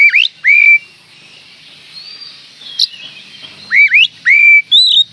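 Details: Oriental magpie-robin song as a provoking lure for another magpie-robin: loud, sweet whistles that swoop up then hold steady, given in paired bursts at the start and again at the end with a quiet gap between.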